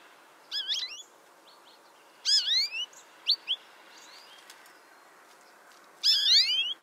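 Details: American goldfinch at a bird feeder on a farm in Indiana gives short, bright, twittering calls with rising and falling whistled notes in three bursts, plus a few brief chips between.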